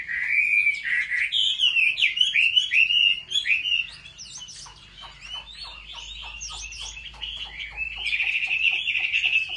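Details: Chinese hwamei in competitive singing, trained at home; a loud run of varied whistles and chattering notes, then quieter, rapid repeated clipped notes about twice a second that build in volume again toward the end.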